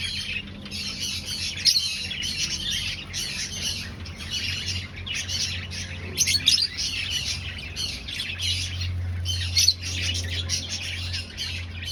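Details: Aviary finches in a breeding colony, nest-seeking, producing a continuous chatter of high, clipped chirps with occasional sharper squawks; a steady low mechanical hum runs beneath the birds.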